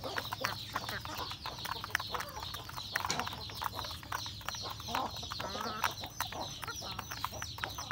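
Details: Home-kept chickens eating their morning feed: rapid irregular pecking clicks, scattered short clucks and a continuous high twittering chorus, fairly busy and even in loudness.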